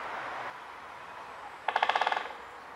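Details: Great spotted woodpecker (Dendrocopos major) drumming in Germany: one rapid, half-second roll of about ten knocks that fades toward the end, after a brief rush of background noise.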